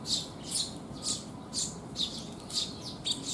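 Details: Sparrows coming for food on a rainy day, 19 June 2021; loud rasping chirps in a rapid run, roughly two per second, close and overlapping.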